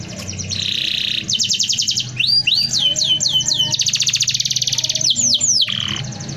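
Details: Canary giving a dense rolling song used as a tutor recording: fast buzzy trills, then a run of rising whistled sweeps, then more rapid rolled trills and a final falling note, over a low background hum.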